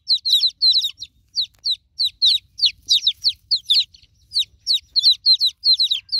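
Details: Newly hatched chicken chicks peeping for a broody hen, shrill falling notes repeated rapidly and almost continuously, several chicks calling at once.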